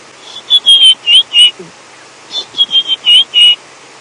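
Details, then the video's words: White-browed scrub robin singing off to the side on a cloudy, mild morning after rain in an African game reserve, 9 May 2016: two bursts of short, clear whistled notes, several rising or slurred, about three a second, over soft hiss. "You can hear a white-browed scrub robin off to the side."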